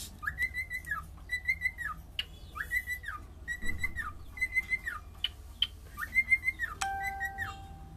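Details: A cockatiel sings a steady run of arched whistles, each rising, held briefly and dropping, repeated roughly every seventh-tenths of a second, with a few sharp clicks and a short tonal beep near the end.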